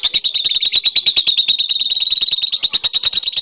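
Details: Lovebird, a head-nodding singer, in a training recording: fast, piercing chirps repeat at a fairly regular three per second, forming a dense shrill chatter.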